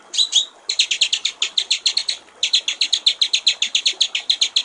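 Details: White-rumped shama song, clear gericik air (water-trickle) type: an opening slurred whistle, then long even trains of bright, rapidly repeated high notes with one short pause midway.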